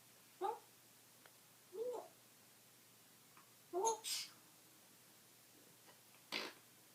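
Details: Pet African grey parrot indoors, burping, farting and laughing: four short, husky vocal bursts spread over seven seconds, some doubled, ending with a sharp hissing burst, in a quiet small room.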